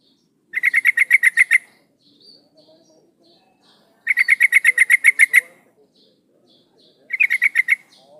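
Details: Calling female yellow-vented bulbul, used as a lure for males: long runs of a dozen or more quick pulsed chattering notes, each burst lasting over a second, separated by short quiet gaps with faint background chirps.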